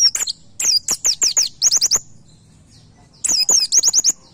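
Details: Caged-bird training master of a white-eye in the "nembak" style: quick series of sharp, high, downslurred chirps in two clusters, a second of quiet between them, over a faint low background hum.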